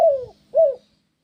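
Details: Spotted dove cooing, used as sound therapy to make other doves answer: two short, smooth, low hooted notes, the first gently falling, the second arched, with a faint low hum beneath.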